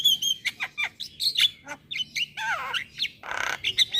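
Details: Javan myna singing as a lure for young birds: quick medley of slurred whistles, rising and falling notes, a drawn-out descending wail and two harsh noisy rasps, delivered in rapid uneven bursts.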